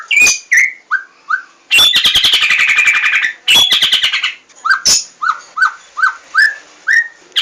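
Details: Lure song of the white-rumped shama, or murai batu, played to make birds sing: clear whistles broken by two loud harsh buzzing bursts, then a row of short rising whistled notes repeated roughly every half second.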